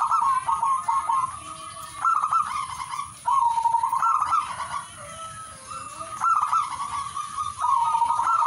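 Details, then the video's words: Long run of zebra dove song, repeated loud rolling trilled coos in bursts of about a second, with brief quieter gaps and a continuous faint high hiss. "singing birds of turtledove"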